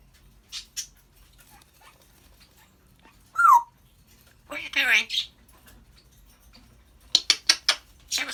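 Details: African grey chatting away: a few short clicks, a loud whistle sliding steeply downward, a speech-like phrase, then a quick series of four or five sharp, even pulses.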